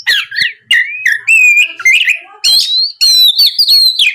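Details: Oriental magpie-robin song used as a lure to get other magpie-robins singing and answering: loud, varied whistles and slurred notes, some rising, some falling, with buzzy trills in quick succession.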